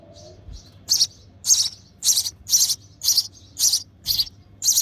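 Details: Hungry sparrow chick calling from the nest while being fed by its mother: a rapid run of harsh, high-pitched chirps, roughly two per second, growing steadier after a few softer notes.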